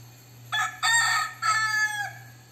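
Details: A crossbred Thai fighting rooster gives one loud, harsh crow in three linked parts, rising and then dragging out and falling, over a steady electrical hum.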